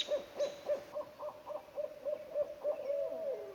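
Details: Barred Owl at a nesting family's territory in a North American forest, Vancouver Island, in spring, gives a quick run of about ten mellow, even hoots, roughly three per second, ending in a drawn-out, falling hoo-aww.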